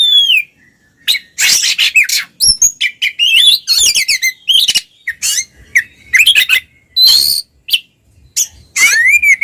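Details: Two Oriental magpie-robins singing loudly in ngeplong style to stir silent magpie-robins into song; dense, nearly continuous mix of grating rasps, fluty whistles and quick twittering runs.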